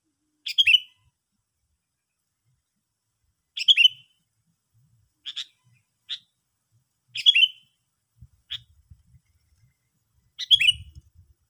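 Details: Sooty-headed bulbul giving short, bright chirping bursts at irregular intervals of about two to three seconds, with a few softer single notes between them against a quiet background.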